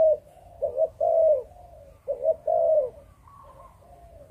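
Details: Malaysian-line spotted dove singing the Chụp Chụp Ô style. Two loud phrases each open with a rapid double note and close with a long hoarse coo, then quieter answering coos from a more distant dove.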